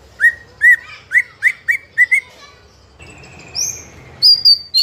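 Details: White-rumped shama in young spotted trotol plumage, fighter type, singing nonstop to make other shamas sing along: seven bright upslurred whistles in quick succession, a long thin whistle, then piercing high notes.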